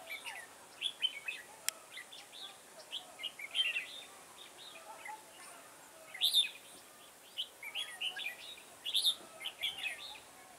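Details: Red-whiskered bulbul singing while trapping in a garden on 9/10/2017. Dense, bubbly whistled phrases of short warbled notes, repeated irregularly throughout, with a few brief higher chirps and soft background hiss.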